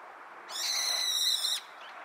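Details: A young brown-eared bulbul gives one harsh, rasping screech lasting about a second, high and strained, against a quiet background; recorded 27 December 2022, around 13:44.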